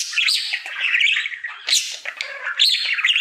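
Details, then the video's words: Pet budgerigar, a happy male singing his daily routine indoors: continuous chattering warble of squeaky chirps, buzzy notes and sharp high clicks, barely pausing across the stretch. "Budgie singing for 1 Hour Happy song!"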